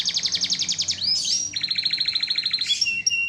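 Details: Canary song in a full, lively master style: a fast rattling trill of bright notes, a quick rising slur, then a lower steady rolling trill ending in clear whistles.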